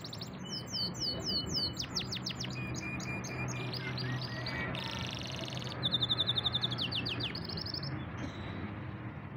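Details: A canary described as a champion singer pours out a long, varied song of sharp downward sweeps, chattering notes, dense buzzy rolls and rapid trills, with a low hum underneath.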